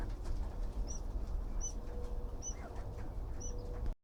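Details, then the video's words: Newborn bird chick calling: four short, high, arched peeps spaced roughly every 0.8 seconds, each thin and clear, over a low rumbling background with a faint steady hum. "newborn bird started making noise"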